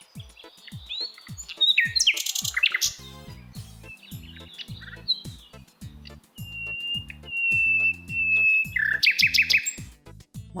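Common Nightingale song of long pure whistles, rapid buzzy trills and sharp chirps in quick varied phrases, set over a steady beat of background music.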